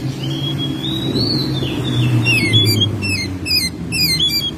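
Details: Oriental magpie-robin, a kept home bird singing in May: a long thin rising and falling whistle, followed by rapid repeated descending chattering notes in short bursts, over steady low background hum.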